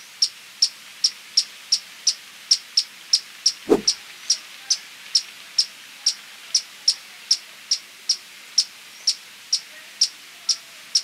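Violet-capped woodnymph giving a steady series of high, thin chips, about three per second, with a single soft thump partway through.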